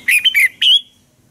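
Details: Red-whiskered bulbul in Thailand giving a short, clear training song phrase: three quick whistled notes, the last one longer and rising, against a quiet background.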